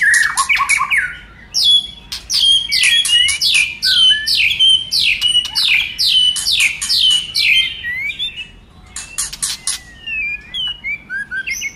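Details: White-rumped shama in a lively song used to get other shamas singing: a fast run of sharp, down-sweeping notes, about two each second, then scattered clicks and a few soft rising whistles.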